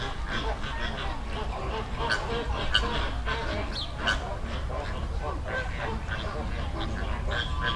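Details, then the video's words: Flock of flamingos in a river in the Dominican Republic, wild; many overlapping short honking, goose-like calls throughout, a dense chattering chorus over steady low rumbling background noise. "Sound Effect Of Flamingo Flock"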